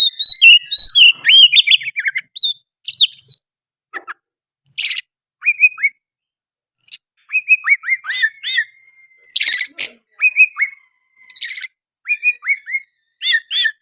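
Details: Oriental magpie-robin in full, nonstop song filled with sooty-headed bulbul phrases: a rapid run of high chirps and bright whistled notes, bursts of harsh buzzy notes, then repeated rising-falling whistled slurs.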